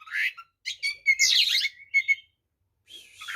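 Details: White-rumped shama in full, varied song meant to provoke other shamas into fighting: whistled phrases and harsh buzzy bursts broken by short pauses.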